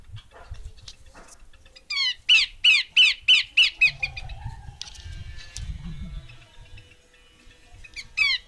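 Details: A female Horsfield's babbler delivers seven buzzy, grating downslurred notes in quick even succession, then quiet low rumbles and faint chirps before another harsh note at the end.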